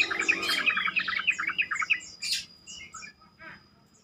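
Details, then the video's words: Yellow-vented bulbul song used to stimulate other bulbuls to respond and sing; a quick series of about six bright, bubbly warbled notes, followed by several thin high chips that fade out. "pancingan trucukan terkomplit sangat bagus untuk membuat trucukan lain lebih gacor"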